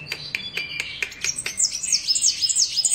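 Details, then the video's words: Sunbird, known locally as kolibri wulung, singing vigorously: rapid clicking notes lead into a fast run of high, twittering, zigzagging whistles. "Burung Kolibri Wulung / Kaca Gacor"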